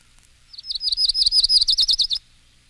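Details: Myrtle Warbler song: a rapid, even trill of about fifteen high, sweet chipping notes lasting roughly a second and a half, slightly quickening, on a quiet background.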